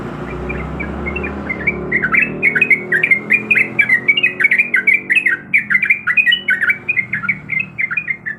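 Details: Female yellow-vented bulbul in breeding condition calling the male: a fast, steady run of short bubbly, slurred notes, each dipping and rising, repeated for about eight seconds over a faint low hum.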